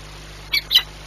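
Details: Peregrine falcon calling during feeding at Płock on 21 April 2021, 9:57: two quick, rasping squawks in close succession, the second louder and harsher, against constant background hum.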